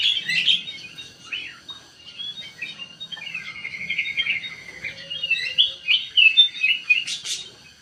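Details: Sooty-headed bulbul song used as a lure to draw a quick response: varied bubbly chirps and short warbled whistles, some rising and falling, in a lively continuous stream.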